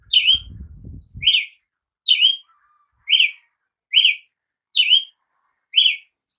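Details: Brazilian tanager repeating crisp, slurred two-part notes at about one per second, seven in all; a brief low rumbling thump at the very beginning.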